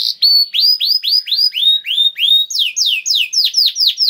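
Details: Canary song used to encourage canaries to sing: a steady series of clear downswept notes, about three to four per second, shifting to higher, steeper swept notes halfway through.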